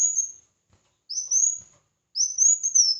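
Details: Singing red-whiskered bulbul in competition: the end of one whistle, then two bright upward-sweeping whistled phrases about a second apart, the last one longer and slurring down, faint soft knocks beneath.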